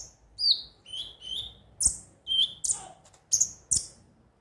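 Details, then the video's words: Konin (ruby-cheeked sunbird) lure song: separate high whistled slurs and sharp chirps, spaced about every half second, some notes ending in short buzzy clicks. "pancingan suara burung KONIN agar rajin bunyi tiap hari"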